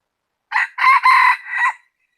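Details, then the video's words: A rooster gives one full crow of about 1.3 seconds, recorded 16 January 2020. A short first note is followed by a loud sustained middle section and a falling, fading tail, all strong and nasal. Background is quiet. "qaib qug qua zoo heev gà gáy hay nhất"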